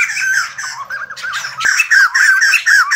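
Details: White-crested laughingthrush, kept bird, singing and dancing: harsh chattering notes with wavering whistled inflections, a sharp click partway, then louder repeated rising squawks.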